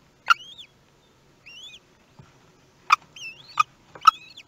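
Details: Kestrel nest in Théding, France, 18 May 2021, first chick hatched; a few short, thin, upward-curving whistled calls separated by pauses, with several hard clicks near the start and end.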